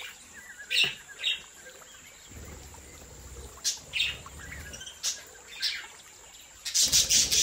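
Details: Aviary-kept budgerigars from a breeding setup. Scattered quick chirps and tweets are followed near the end by a dense, loud burst of high chatter, with a low rumble underneath.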